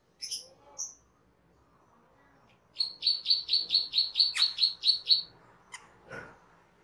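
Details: Cucak keling, a cage bird in a master recording for training other birds, gives a few opening whistles, then a quick run of about ten bright, high repeated notes, followed by scattered chips.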